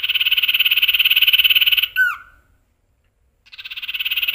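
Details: Captive male common iora singing imitated phrases: a long, even, rapidly pulsed trill of nearly two seconds, a sharp falling whistle, a short silence, then another pulsing trill rising in volume.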